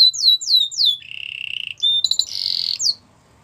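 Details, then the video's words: Canary singing for training: down-slurred whistles, then a rolling trill, a short sharp note and a harsh buzzy burst ending in a rising slur. "Most spectacular video training!! Make your canary singing everyday"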